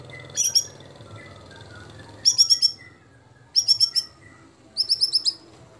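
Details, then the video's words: White-rumped shama fill-in phrases from a competition song compilation: tight groups of four to five sharp high chips repeated about every 1.2 seconds over a low background hum. "25 Tembakan Murai Batu Isian Sadis Dan Mewah Yang Disukai Juri"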